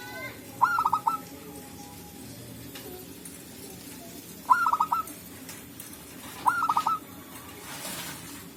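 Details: Wild local zebra doves calling back and forth in the forest, used as a trapping lure: three short stuttering phrases of rapid, slightly rising cooing notes, spaced about four and two seconds apart, with soft forest background noise between.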